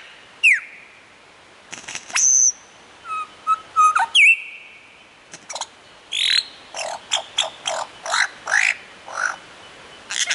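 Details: Lyrebird on a mound near Warburton, Victoria, mimicking several other birds: a varied run of sharp descending whistles, a high pure note, short repeated pips, then a fast series of loud ringing notes and rising sweeps.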